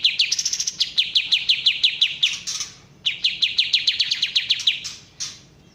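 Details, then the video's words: Kapas tembak bulbul repeating sharp, descending chips at a fast even pace in two long bursts, with a brief break and a few scattered notes at the end. "suara asli kapas tembak"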